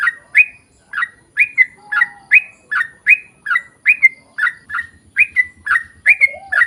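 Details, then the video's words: Sooty-headed bulbul in lively, long continuous song, used as a lure to prompt others to sing: short bright chirped notes repeated about twice a second, with a brief low cooing phrase partway through. "KICAU SUARA trucukan gacor ROPEL PANJANG pancingan trucukan agar bunyi MENJADIKAN trucuk gacor NYAUT"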